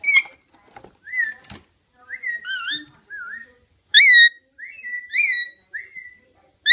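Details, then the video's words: Rainbow lorikeet (Trichoglossus moluccanus) calls: short, slurred whistles that rise and fall, broken up by a few loud, harsh screeches, all in irregular bursts. "Rainbow lorikeet sounds"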